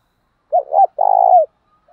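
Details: Spotted dove coo for luring wild doves: two short hooked notes, then one long, steady, rolling coo that falls off softly, in a clean recording with no other sounds.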